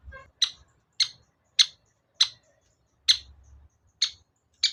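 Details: Cendet lure sound, played to make a shrike that sings poorly respond: seven loud, harsh, clipped notes, each a sharp rasping chip, repeated roughly every two-thirds of a second.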